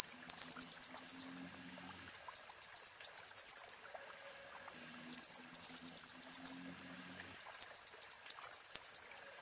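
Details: Thin, very high tinkling trills of a kolibri ninja sunbird used as a master for cage birds, repeated in four phrases roughly every two and a half seconds.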